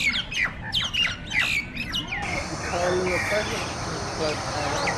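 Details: Nias starlings (jalak nias) fighting together; about two seconds of harsh overlapping squawks, then fainter scattered calls over a steady noisy background.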